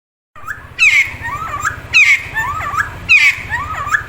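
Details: Friarbird, known locally as cucak timor, timtim or cikukua, calling actively day and night. It gives loud, clear phrases of rising and falling whistled notes with a sharp high note, repeated about every 1.2 seconds over a steady low hum.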